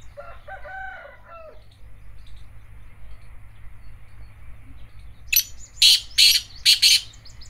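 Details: Black francolin giving its call near the end: four or five grating, scratchy bursts in quick succession, preceded by a softer, tonal, wavering call from another bird and low background hum.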